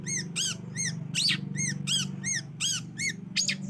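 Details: Long-tailed shrike sound used to stir a silent shrike into calling: steady run of arched, squeaky notes roughly three per second, with a few louder harsh bursts, over a constant low electrical hum.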